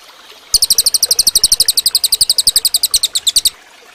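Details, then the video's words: Cililin bird song used as training material for other birds: a fast series of bright, high, sharply repeated chip notes, about four per second, running steadily for three seconds against faint background noise. "suara burung cililin bagus buat masteran"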